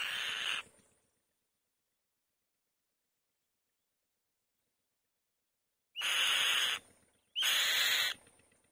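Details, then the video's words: Loud nest calls of a female white-tailed kite: one rough hissing note, a long silence of five seconds, then two more grating rasps in quick succession, each with a brief rising whistle at the start. "White-Tailed Kite | The Female Bird Makes a Loud Noise On The Nest"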